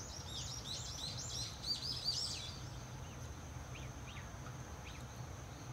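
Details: At a rural house doorway nest, six swallow chicks hatched six days earlier beg loudly as parents arrive to feed them: a dense chorus of overlapping high, arched chirps for two seconds, fading to a few scattered thinner calls over faint hum.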